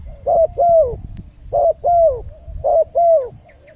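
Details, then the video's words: Spotted dove lure call used to attract wild birds: loud paired coos, each pair a short note then a longer falling one, repeated about every 1.2 seconds, over low background rumble. "suara pancingan burung tekukur, untuk mendatangkan burung liar."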